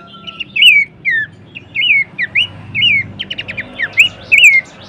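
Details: Horsfield's babbler, a bird-training vocal recording: a lively run of short whistled notes that slur up and then down, often with a loop, repeated about twice a second with brief gaps. Other high chirps mix in, over a faint low hum.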